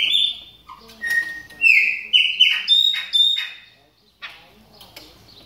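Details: Moulting captive Chopi blackbird warming up its voice: loud ringing whistles, some held flat and some slurred down, strung together quickly before a short pause and softer notes.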